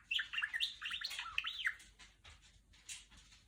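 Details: Indoor female budgerigar mimicking R2-D2: quick looping whistles sweeping up and down through the first half, then quieter clicks and a faint high chirp.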